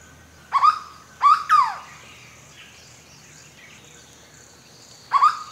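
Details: Hooded berryeater from Brazil singing its onomatopoeic forest song, repeated at long intervals: one full phrase of a short nasal note then two drawn-out falling notes, with a new phrase starting about four seconds later.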